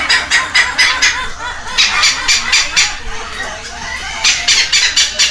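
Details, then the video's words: A pair of young red-lored amazons fed by hand at a Costa Rican rescue center in Heredia Province; steady series of scratchy, buzzy squawks about two per second, broken by a short lull. "A feeding frenzy for two baby Amazon Red-lored parrots!"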